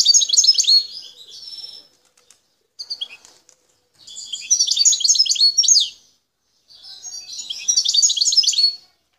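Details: Wild goldfinch from Bouteldja in Algeria's El Tarf region singing three long, liquid, twittering phrases of fast, high, jumbled notes with short silences between them in a quiet setting.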